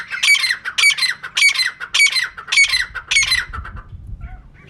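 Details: Six harsh, evenly spaced squawks from a female francolin, about one every half second, fade into quiet low rumbling. This is a bird-catching lure call.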